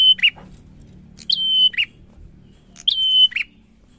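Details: Bar-winged prinia singing, with a recurring phrase about every 1.6 seconds: a sharp high note, a long steady whistle, then a short burry lower note. A faint low hum sits underneath.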